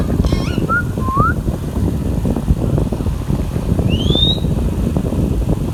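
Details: Baby green Indian ringneck parakeet, a pet talking bird, gives short clear whistled notes, two low glides and then a higher rising whistle, over a steady low rumble of background noise.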